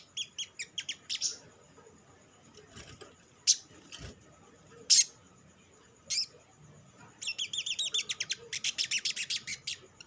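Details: Sogok ontong sunbird, an olive-backed sunbird (sriganti), singing as a lure to stimulate other sunbirds to sing: bursts of high, sharp chirps and fast rattling trills, with isolated loud ticks and a steady faint tone behind.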